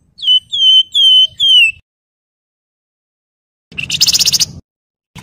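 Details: Javan fulvetta (wergan jawa), a master recording for tutoring murai and kacer: four pure, downslurred whistles in quick succession, then after a pause a short harsh, buzzy chattering burst.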